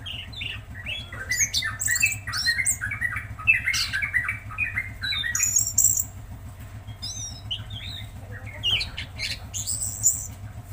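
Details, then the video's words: Tledekan Laut in full song: a varied, rapid run of chattering and warbled notes at mid to high pitch, with thin whistled trills and squeaky accents, over a continuous low motor-like hum. "Masteran Burung Tledekan Laut Gacor"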